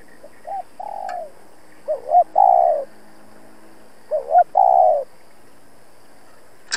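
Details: Decoy spotted dove used to lure wild birds, calling to challenge rivals: two-part coo phrases, a quick double note followed by a long hollow falling coo, repeated twice after a softer opening, quiet between.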